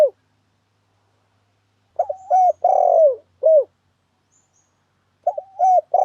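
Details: Spotted dove lure call used for trapping doves: low hoarse cooing phrases of a few notes, a short double coo followed by a longer drawn-out coo and a final short note, separated by silence.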